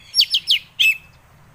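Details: Orange-headed thrush song intended to trigger other birds to sing: three fast descending sweeps followed by one longer, clear whistled note that trails off.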